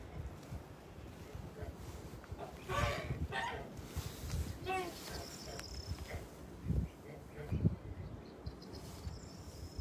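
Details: Kholmogory geese kept on a farm, recorded 29 March 2021: a run of loud, harsh, nasal honks with rich harmonics clustered in the middle seconds, then a few shorter, spaced honks later, over a steady low rumbling background.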